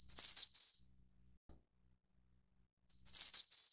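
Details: Snowy-browed flycatcher of the Taiwan endemic subspecies Ficedula hyperythra innexa gives two very high, thin, slightly buzzy phrases of a few quick notes each, about two seconds apart, against a silent background.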